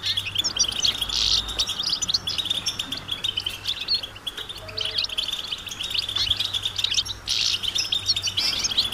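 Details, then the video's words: Flock of European goldfinches twittering in nature, mating calls used to stir males into singing: busy overlapping high chirps and liquid trills, swelling into louder buzzy bursts, with a faint low hum throughout. "بتبتة جماعية رهيبة للحسون وسط الطبيعة"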